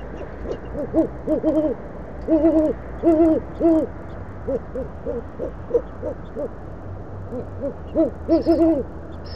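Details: Two parent great horned owls at an Oklahoma City nest cam trade deep, soft hoots at 9:45pm on 25 March 2013, the female at the railing and the male off camera; one voice is slightly higher, over a faint hum.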